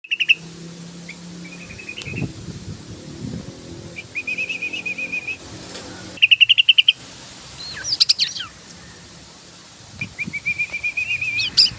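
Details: Yellow-vented bulbul singing in a lively, nonstop chattering style, locally called ngebren with sharp shot-like notes: quick runs of bright repeated chips, short trills and rising flicks in separate bursts, with low rustling and thumps in the background.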